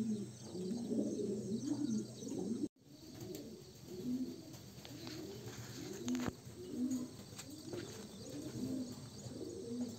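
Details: Homing pigeon chicks give low, soft cooing and murmuring notes in overlapping bursts, with a faint high hiss running through the background.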